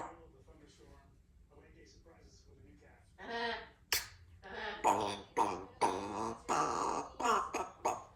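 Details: A 2-year-old female Congo African grey parrot talks indoors in the morning, just after a poncho was removed: soft murmured syllables give way to louder, clipped speech-like phrases about twice a second.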